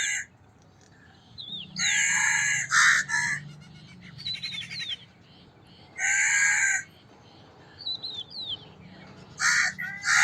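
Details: Crow calling with harsh, nasal caws in short bursts of two or three, spaced several seconds apart, while small birds chirp and trill softly in between.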